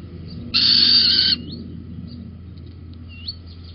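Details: Little owl on a beam at Holten, 19 May 2020, late morning: a single hoarse, hissing screech lasting under a second, followed by faint, thin rising chirps.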